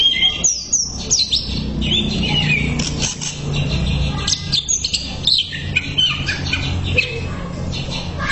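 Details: Greater green leafbird song used as a training recording: varied high whistles, slurred notes and chirps, over a steady low rumble that may be traffic.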